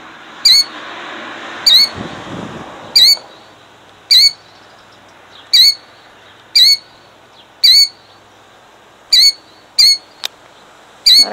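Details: Killdeer defending her eggs in Jackson, New Jersey, 2008: loud, high, shrill calls with a slurred downward inflection, repeated about every second and a bit, eleven in all, over faint background rumble.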